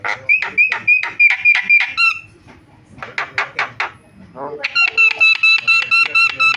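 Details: Starling calls used to provoke silent starlings into calling: a quick run of buzzy notes with a steady whistled tone, a pause, dense harsh chatter, then a fast even trill of ringing notes.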